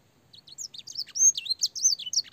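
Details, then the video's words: Clear-voiced canary master song with blackthroat and sanger fill, used for training young birds; a rapid jumble of high twittering and slurred whistled notes, rising and falling, some drawn out, growing louder. "burung kenari gacor panjang full isian blackthroat dan sanger suara jernih masteran kenari paud"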